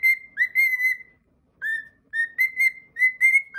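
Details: Pet cockatiel singing its own original whistled song indoors: clear, tuneful whistles around one pitch, with slurred rising and falling notes in short phrases separated by brief pauses.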